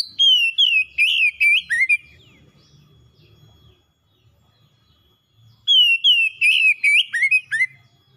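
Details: Caged oriental magpie-robin kept as a pet gives two bursts of bright, rapid whistled notes with sweeping and dipping slurs, separated by several seconds of near silence with faint low rumble.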